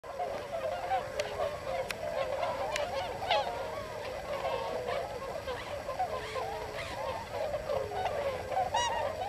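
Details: Wintering flock of several hundred Tundra Swans in farmland fields of the Nogi Plain, Hakuta, Yasugi, Shimane, Japan, arrived from Eurasia; dense chorus of high, shrill, overlapping honking calls, continuous throughout.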